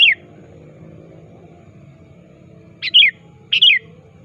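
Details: Sooty-headed bulbul calling to a rival, for luring birds. Three crisp, downward-slurred chirps, one at the start and a close pair near the end, with a constant low background hum.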